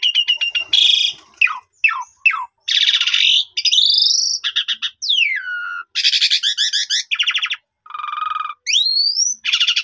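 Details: Lure recording of Asian pied starling song meant to boost another starling's boldness: dense alternating buzzy rattles and clear downslurred and upswept whistles, with a low steady buzz toward the end, almost without pause.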